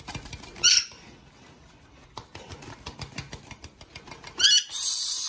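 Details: Two young male Yellow-streaked Lories: a brief harsh, shrill screech, then soft tapping and shuffling, ending in a longer grating screech.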